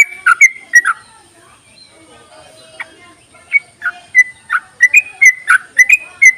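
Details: Calls of a yellow-vented bulbul meant to draw reluctant bulbuls into song: a series of separate short, clear whistled and slurred notes, spaced irregularly and coming faster toward the end.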